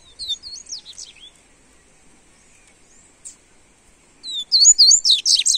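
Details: Coleiro (double-collared seedeater) warm-up song: a short run of high, swooping whistled notes, a pause of about three seconds, then a louder, busier phrase of fast twittering slurs.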